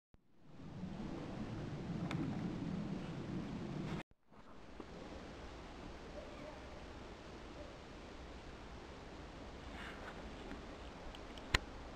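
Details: Steady wind and rustling noise with a low rumble, a brief break near four seconds, and no clear animal calls.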